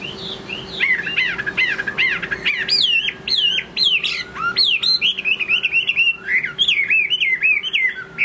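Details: Late-afternoon singing from a Chinese hwamei: strong whistled notes rising and falling in quick repeated phrases, rich and varied, continuing without pause over a faint hum.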